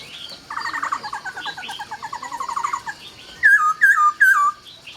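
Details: Laughingthrush at dawn opening with a rapid, stuttering chatter of short notes, then three loud ringing whistles, each falling sharply from a high start.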